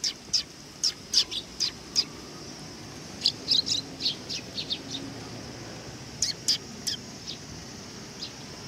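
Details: Several sparrows gathering for food at a Tenmangu shrine on 18 August 2020; loud, clipped, high-pitched chirps in irregular bursts, a busy run, a pause, then a few more.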